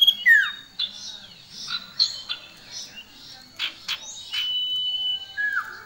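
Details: Male and female common iora in shrill song: a falling slur, soft buzzy phrases and sharp chips, then a long steady whistle dropping into a lower note.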